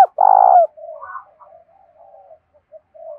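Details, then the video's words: Decoy spotted dove, a cooing bird kept to lure wild doves, in the Hạp Bổi voice style. One loud, steady, low coo lasting about half a second opens the recording. Softer, broken cooing notes trail after it. "tieng cu gay kich boi nhanh noi gù hiệu quả - Chim Cu Mồi Giongh Hạp Bổi"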